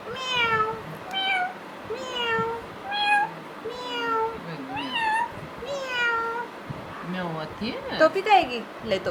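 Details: Talking Indian ringneck parakeet kept as a pet copies a meow: about seven clear, nasal, arching meow-like calls, one roughly every second, ending in a tangle of quicker chattering notes.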